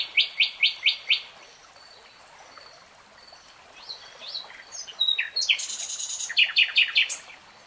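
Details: Common nightingale singing: a fast burst of repeated sharp notes, a quiet pause with faint high whistles, then rising whistled notes and another rapid run of clipped, chattering repeats.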